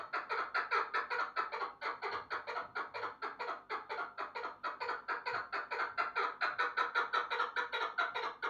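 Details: Chukar partridge giving a long run of harsh, clucking chuck notes, about two per second, steady and unbroken across the whole stretch with no other sounds.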